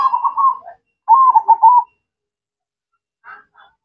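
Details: Perkutut, a local zebra dove, in full song: two quick runs of trilled, bubbling coos, each under a second long, then two faint short notes in the quiet that follows.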